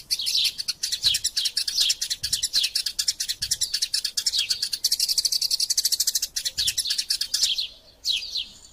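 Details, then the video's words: Fighting Eurasian tree sparrows serving as masteran sound: a long, dense chatter of quick high chirps, a very fast even stretch in the middle, then a brief lull before a few final tweets. "Burung Gereja Tarung Gacor Passer Montanus passeridae Eurasian Tree Sparrow erasia suara masteran"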